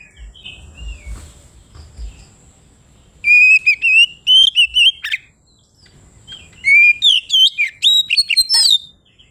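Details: Kacer, or Oriental magpie-robin, in loud open 'ngeplong' song meant to call a rival: after low background thumps, two energetic bursts of quick repeated whistled notes and twisting slides, separated by a brief silence.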